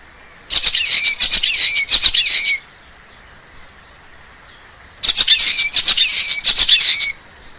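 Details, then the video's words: Wild common waxbill singing in forest: two harsh, buzzy, chattering phrases of about two seconds each, separated by a four-second pause, with nasal twanging notes sliding through each burst. "CANTO DO BICO DE LACRE SELVAGEM"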